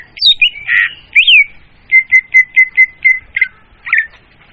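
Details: Leafbird lure recording, loud and clear: sweeping whistled notes and a squawky burst, then a steady run of seven short, even chirps at one pitch, ending in two buzzy calls.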